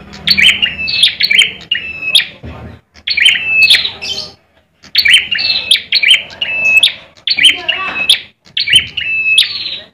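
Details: Red ciblek (bar-winged prinia), a contest bird kept in Indonesia, singing in fighting mode: loud bursts of harsh, buzzy high notes with sharp clicks and level whistled strands, delivered in phrases separated by short pauses.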